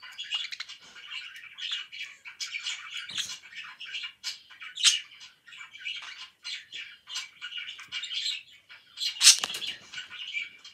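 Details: Pet budgerigar chirping indoors: soft, continuous scratchy warbling chatter with quick squeaky notes, broken by a few louder sharp chirps.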